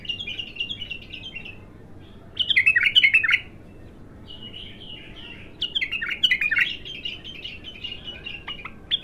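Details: Untrained bulbul (abtar) in one of its first song sessions, delivering several bursts of fast, chattering warbles separated by short pauses, some louder and more emphatic, over faint background hiss.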